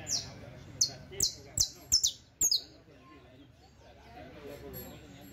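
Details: Saffron finch singing for teaching purposes: half a dozen loud, sharp, falling chirps in quick succession, followed by near quiet with faint background rustle.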